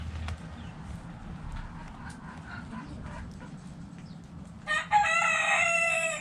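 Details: Backyard roosters and hens in the dirt: faint scattered clucks first, then a loud harsh rooster crow breaks in over the final second and a half.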